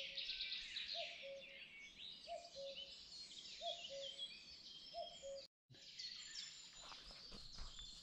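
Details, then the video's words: Common cuckoo calling at the river Oberoste gives its low, falling two-note cu-coo four times, about every 1.4 seconds, under a busy chorus of high twittering songbirds. "The cuckoo calls at the river"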